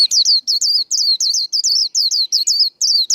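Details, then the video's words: White-eye singing contest song: a continuous, energetic stream of high, bright whistled notes, each curving up and down, about three or four per second with almost no pauses. "Vành khuyên líu đấu"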